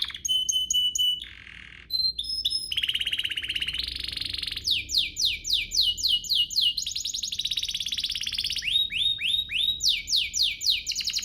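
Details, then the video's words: Canary lure song to stir other canaries into singing: clear steady whistles, short buzzy rolls, then long runs of quick down-slurred notes repeated about four per second. "Pancingan ini EFEKTIF BANGET, burung kenari lain langsung terpancing untuk GACOR"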